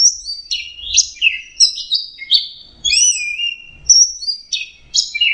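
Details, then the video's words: Orange-headed thrush (anis merah) pouring out dense song: quick tumbling whistles, chirps and slurred notes packed together almost without pause, high pitched throughout, background nearly silent. "Beginilah suara burung anis merah sedang teler"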